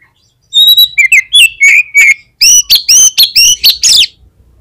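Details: Oriental magpie-robin singing hard (gacor) as a lure for other magpie-robins: a clear level whistle and slurred notes first, then after a short pause a fast run of loud, ringing, repeated notes.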